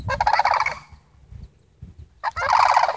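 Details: Sandhill cranes, a family on a visit, give two loud purring, rattled calls separated by about a second and a half of quiet with faint low rustling.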